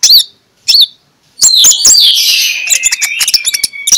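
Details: Morning lure song of an Oriental magpie-robin, ngeplong style, meant to prompt shy birds to sing. Two short high chips open, then a loud rich phrase of slurred whistles and dense clicks.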